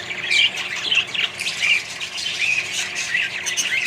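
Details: Colony of budgerigars among other birds, giving a busy tangle of harsh squawks and short chirps. Louder bursts come roughly every second over a steady background of chattering.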